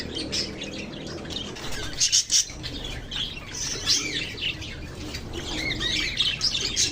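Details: Chattering lovebirds: continuous high, scratchy chirps and short squawks from several birds, irregular bursts throughout, over a low background rumble.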